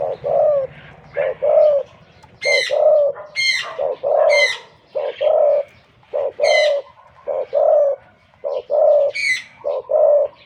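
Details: Deep-voiced spotted dove kept as a decoy bird, said to be wild-caught: loud, mellow coos in steady groups roughly every second, mixed with sharp, higher chirping notes from other birds nearby.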